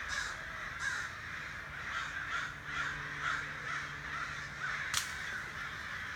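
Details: Somewhat distant crows caw outside a back door, a string of hoarse calls over a faint low hum, with a sharp click near the end.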